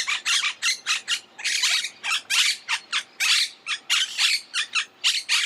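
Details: Monk parakeet, a green parrot of South America, chattering in rapid harsh squawks, short raspy bursts repeated about three to four per second in an irregular, continuous stream.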